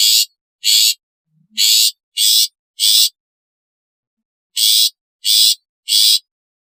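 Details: Long-tailed shrike giving its natural, calling, alarm or lure sounds. Two scratchy, noisy notes, then a run of three, then after a long pause three more, each a coarse broadband rasp. Quiet background.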